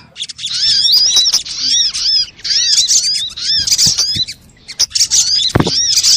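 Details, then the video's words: Crimson sunbird lure recording to attract birds and trigger song; rolling groups of high, curved, harmonic chirps in a steady chatter, a short lull, then a low thump and more calls. "SUARA PIKAT BURUNG SOGOK ONTONG RIBUT AMPUH BIKIN SOGON NEMPEL PULUT"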